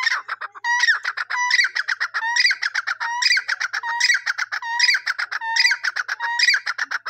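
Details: Francolin (teetar) call: repeated phrases of sharp rising notes and a steady whistle, with clusters of harsh clucking notes, continuous over seven seconds with no pauses.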